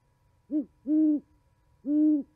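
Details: Winter owl hooting at a Charlo, Montana osprey nest, 11 January 2020: a short hoot followed by two longer, level hoots, spaced roughly a second apart, in otherwise quiet surroundings.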